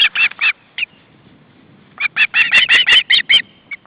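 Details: Hungry young ospreys at their nest in August 2012, two recently fledged plus the youngest sibling, as the male brings fish: short harmonic cheeps in a quick burst, a pause, then a faster run of sharp repeated calls.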